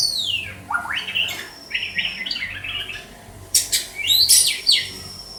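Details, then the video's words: White-rumped shama, Banda Aceh, starting with a long descending whistle, then a rattling series of short notes and loud broadband harsh bursts mixed with a steady thin high tone. "Murai batu sugeng"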